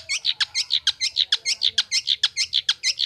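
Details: Caged long-tailed shrike kept as a family pet, singing actively: a fast, steady series of sharp high chirps, about six every second, each with a bent, slurred shape.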